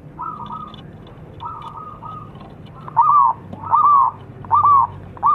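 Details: Zebra dove cooing used as a lure for singing birds: two soft level coos followed by four louder rolling, arched notes spaced under a second apart.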